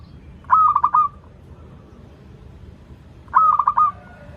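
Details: Two stuttering, rolling coo phrases from a local zebra dove, used as a lure for birds learning to sing, spaced about three seconds apart against quiet background noise.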